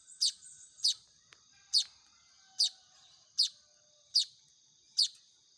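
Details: Baya weaver chicks begging while being hand-fed: short high, sharp chirps repeated roughly every 0.7 to 0.9 seconds, each a brief downward-sweeping squeak, over a faint steady high hiss.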